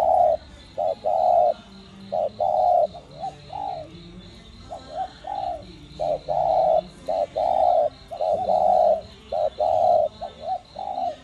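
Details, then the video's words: Cooing spotted dove, standard 'đồng gù + thúc' voice meant to stimulate captive birds to call: deep hollow coos in rhythmic phrases, short double notes alternating with longer held ones, about one per second; faint steady high hum. "Cu gáy GIỌNG CHUẨN ĐỒNG GÙ + THÚC kích mồi tập bổi căng lửa. tiếng cu đất gáy"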